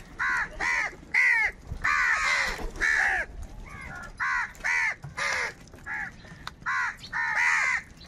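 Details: Several crows squabbling over food: a steady run of harsh, hoarse caws, about a dozen rasping calls in quick succession, some overlapping, with light outdoor noise behind.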